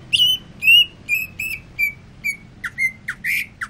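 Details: Greater green leafbird kept in a cage, singing after sunbathing: a string of clear, drawn-out whistles slurring slightly downward, repeated roughly twice a second, ending in a few harsher, buzzier notes.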